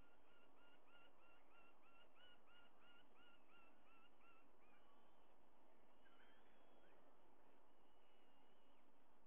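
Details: White-bellied sea eagle at its nest, picked up by a live nest camera: a run of about a dozen quick honking, cackling notes, roughly three each second, then a few longer drawn-out calls, over a steady low hum and background noise.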